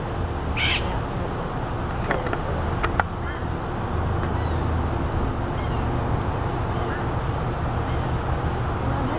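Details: A Blue-crowned Parakeet at Manatee Public Beach gives one loud, harsh, grating screech near the start, then a few faint chirps, over a steady low roar of wind and surf.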